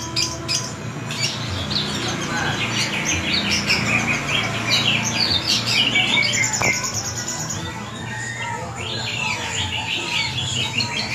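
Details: Long-tailed shrike, praised as the bird of a thousand voices, singing a mixed sequence of high whistles, quick chatter and a brief trill, over a low continuous background rumble.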